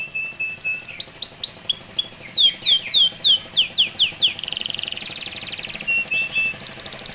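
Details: Canary song used to prompt young canaries into singing: fast repeated descending whistled sweeps, then a buzzy trill, a steady high tone and a closing rapid trill, over a hissy background.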